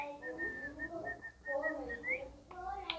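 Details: Pet cockatiel dancing indoors, giving a run of short clear whistled notes at one steady pitch, then a lower wavering phrase, a quick rising whistle and a brief bright chirp, with faint room noise.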